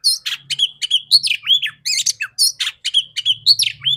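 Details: Female Oriental magpie-robin (kacer betina) singing, played as therapy to spur males to sing: a fast run of varied whistled and buzzy notes, many sweeping down, with short gaps, over a faint low hum.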